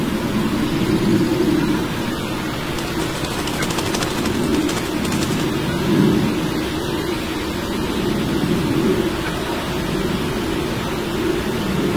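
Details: A steady low rumble of traffic or a passing train fills the recording, with no clear bird calls.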